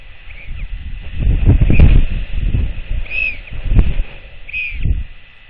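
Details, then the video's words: Bill clacks of royal albatrosses at their nest before dawn, 6.1.24, as a chick wakes startled by its arriving mother and both clack at one another; clustered dry rattles, then two short arched squealing calls amid low rumbling background. "Both Clack At One Another!"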